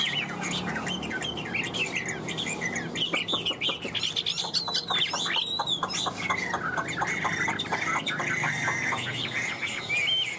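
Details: Tam hoàng Chinese hwamei singing nonstop in a carried cage: a dense, busy stream of sharp chips, buzzy notes and high whistles, with clipped repeated notes and a clear rising whistle near the close.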